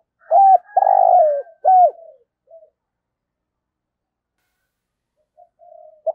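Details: Decoy spotted dove used to lure wild doves, giving a 'giọng thổ' coo. A short note, a long drawn-out throaty coo, and a falling final note come in quick succession. After a pause, faint soft coos follow.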